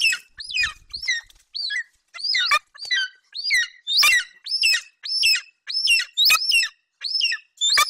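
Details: At a Bucovina nest on 27 July 2021, a young male golden eagle calls repeatedly while guarding a hare brought by his mother. Piercing, slurred whistles follow in quick, uneven succession, with occasional soft knocks and rustles.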